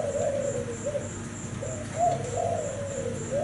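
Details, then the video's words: Thai-type spotted dove, cream-coloured, kept caged, giving a mellow low coo sequence: smooth rising-and-falling notes in two phrases, with a faint steady high ticking and background hum. "Cu gáy thái bông kem"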